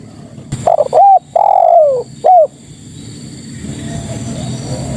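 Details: Female spotted dove calling to males: one cooing phrase of a stuttering start, a short coo, a long steady coo sliding downward, then a clipped final coo, over quiet low background hum.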